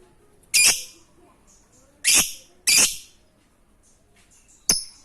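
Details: Lovebird, used to prompt quiet lovebirds to sing, giving four sharp, bright, high chirps spaced irregularly across five seconds with quiet pauses between them.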